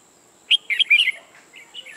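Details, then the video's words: A new decoy red-whiskered bulbul for trapping gives a quick warbled phrase of sharp, slurred notes, then softer trailing whistles, over a faint constant high hum. "Bẫy chào mào Mồi mới ché ngất người"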